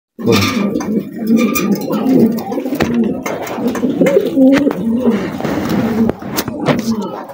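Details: Several farm-kept pigeons cooing together, low throaty rolling coos that overlap continuously, with some clicks and knocks in the background.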